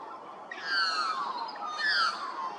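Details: Loud carolling from an Australian magpie in Hervey Bay, Queensland, two bright, harmonic-rich phrases that sweep downward, each lasting about a second, over low background hiss.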